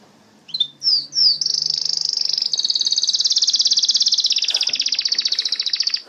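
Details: Canary opening with a few upward-flicked notes before a sustained, very fast high trill that rolls on evenly for about five seconds and fades at the end.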